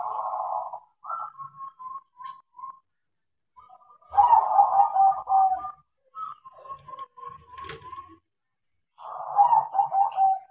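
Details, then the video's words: Crossbred zebra dove, a tame bird that sings often because it was trained: three bursts of rolling, vibrating coos alternate with runs of short, evenly spaced whistled notes, with a few faint clicks between phrases. "PERKUTUT CROSSING GACOR KARENA DIAJARI"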